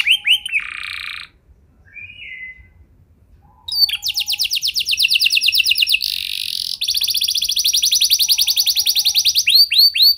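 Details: Canary song used as a lure for other canaries: a few short trills and buzzy notes with pauses, then a long loud rapid trill with a brief buzzy interlude, ending in swept whistles.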